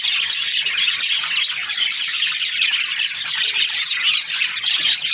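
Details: Australian budgerigars in breeding season, a busy flock chirping steadily: dense overlapping high warbles, chatter and squeaks running without pause.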